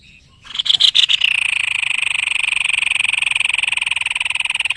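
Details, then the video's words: White-necked babbler, a tutor bird in Indonesia, singing actively: several loud sharp notes break into a long, rapid, evenly pulsed buzzy trill held for over three seconds. "BURUNG MASTERAN GACOR SEPERTI INI.JENIS TEPUS LEHER PUTIH"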